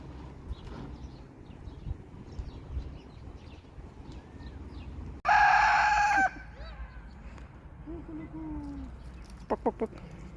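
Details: Farm rooster giving a single short, very loud, harsh and harmonic crow lasting about a second, amid a background of faint clucks, rustling and occasional clicks.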